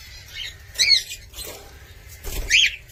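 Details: Cockatiel uttering a few spaced whistled chirps, each rising and dropping, separated by quiet gaps, with a soft thump and low hum in the background.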